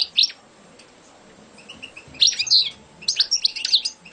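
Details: Champion competition European goldfinch singing: short bursts of bright, high twittering notes, a brief phrase, a pause, then two quick clusters of sharp chirps and trills over a quiet background.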